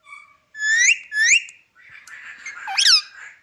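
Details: Indian ringneck parakeet, called Kashmiri green parrot, kept as a talking pet indoors: two loud rising whistled sweeps, a softer warbling stretch, then a sharp dipping-and-rising squawk-whistle, in a quiet small room.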